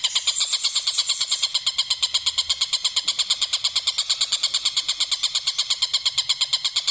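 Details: Kingfisher giving a cackling call: a long, even, fast series of harsh high notes, about three per second, continuing without a break.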